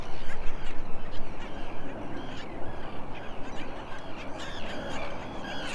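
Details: At a Long Island beach in New York, USA, a Black Skimmer parent feeds its few-days-old chick; rasping, honking calls overlap rapidly and unevenly, backed by constant broadband surf and wind noise.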